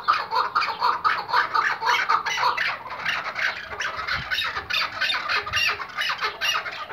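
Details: Iraqi white-collared hunting partridge (chukar) calling: dense, harsh, rapid chuck-like notes repeated about twice a second in an excited, overlapping stream, with a faint hiss in the background.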